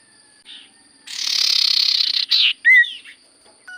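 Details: Long, harsh, rasping buzz from a Common Iora (sirtu cipoh), followed by a short buzz and a loud bright slurred whistle, all over a faint high constant tone.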